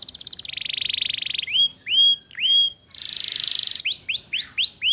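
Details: Female Atlantic canary calling to lure males, used to train young birds: fast buzzy trills alternate with bright upward-sweeping whistled notes, repeated in short series.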